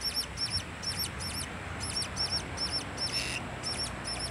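A Blue-crowned hanging parrot gives very high, thin, sharp double notes, about two to three per second, over a low steady background hum.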